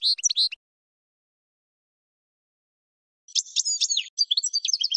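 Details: Goldfinch singing in a training recording for other birds: a brief burst of twittering, a long silence, then a second jumbled phrase of sharp chirps and sliding notes.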